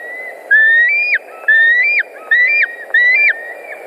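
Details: At a Latvian white-tailed eagle nest on an August 2019 afternoon, four long whistled notes sound, each sliding upward and ending in an abrupt downward flick, spaced roughly a second apart.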